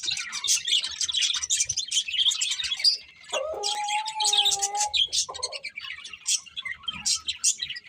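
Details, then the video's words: Breeding pair of budgerigars chirping in quick scratchy bursts, interrupted midway by a couple of steady, lower whistled tones before the rapid chatter returns. "Colourful Budgies Chirping Sounds"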